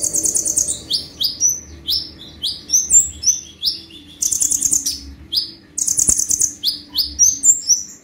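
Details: Brown-throated sunbird singing energetically in 'tembakan' style: buzzy high trills broken by strings of sharp slurred whistles, repeated in bursts with short gaps, faint hum underneath.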